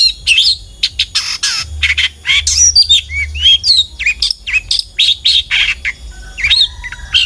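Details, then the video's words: Long-tailed shrike singing as a lure to start other shrikes singing: varied warbling mixture of slurred whistles, rising and falling glides, and scratchy harsh notes in a continuous jumbled stream. "suara burung CENDET GACOR ampuh pancingan CENDET AGAR BUNYI❗ CENDET GACOR❗"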